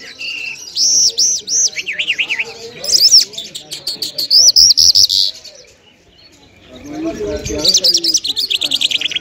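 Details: Lark of the lunda jal type, Mashadi and Afghani style, singing a varied high song of warbled, rippling phrases and rapid repeated notes, with a quiet gap near the middle before a fast trilled series resumes.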